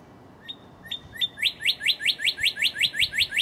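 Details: A Northern cardinal sings close by in early morning, March 2011: three long rising level whistles introduce a fast train of loud downslurred notes, roughly three per second, over a quiet background.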